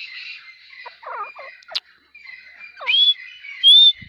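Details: Grey partridge, locally called Dakhni teetar, giving two loud, clear rising whistled notes near the end, after a mix of softer chirps and short warbled notes from other birds.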